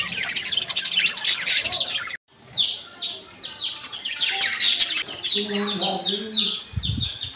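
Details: Budgerigars, described as Australian parrots, chattering in a dense, high warbling stream of chirps and squeaky notes, breaking off for a moment partway through, then resuming; a low humming tone appears near the end.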